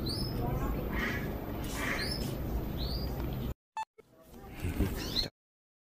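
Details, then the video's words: Lovebird giving shrill, rising chirps every half second or so over a heavy rumbling background, with a brief break before a final burst. "Lovebird paud GESTANG parah!"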